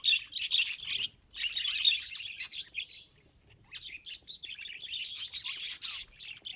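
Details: Budgie chatter from a pet bird: quick buzzy warbles and high squeaky chirps in two lively bursts, a quieter gap in the middle, then a rising burst of chatter.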